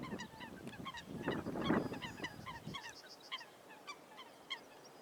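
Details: Eurasian coots fighting on water: short, nasal, honking notes given in quick irregular succession, with heavy splashing and scuffling during the first three seconds, then scattered single calls.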